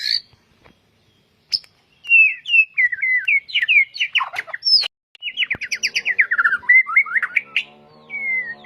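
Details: White-rumped shama singing for caged-bird training: after isolated notes, rapid rippling whistled phrases and fast trills, ending with a clear whistled note; faint low background tones.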